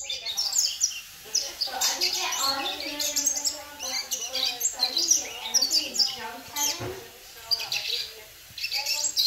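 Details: A 10-month-old double-collared seedeater kept in the United States sings quick, high chirping and twittering phrases, often over a person talking nearby.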